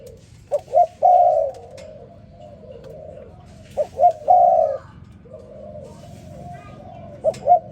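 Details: Spotted dove calling in the morning: low, mellow cooing phrases, each two short rising notes followed by a longer drawn-out coo, repeated about every three and a half seconds over a quiet, faint background hum.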